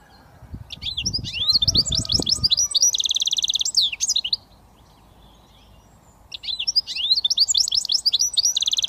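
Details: British goldfinch mule hybrid singing in the switty style: rapid high twittering notes and buzzy trills in two bursts separated by a short pause, with a low rumbling noise during the first seconds.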